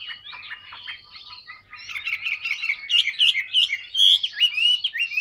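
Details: Chinese hwamei, a big, thoroughly tamed cage bird noted for singing often; soft twittering opening that swells after two seconds into loud, rapid, varied whistles and chirps, several notes each second.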